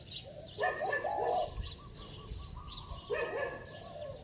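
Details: Spotted dove with a bell-like voice giving loud, close coos: two strong phrases of low hollow notes with quick rapid pulses between them, with faint chirping birds behind.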